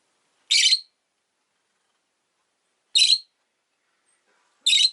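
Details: Rosy-faced lovebirds, a pair kept as pets, sitting close at an entrance: sharp, rasping high chirps come one at a time, spaced roughly two seconds apart, with quiet in between.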